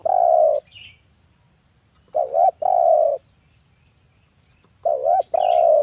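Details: Male spotted dove, 'kuk 1' call type, used to lure wild birds into traps, uttering paired mellow coos: a dipping note and a longer level coo, three phrases spread across a few seconds, background otherwise quiet.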